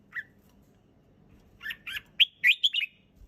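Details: Red-whiskered bulbul giving a clear, easy song: one short whistle, a pause, then a rapid burst of bright, rising and falling fluty notes, over a low background rumble.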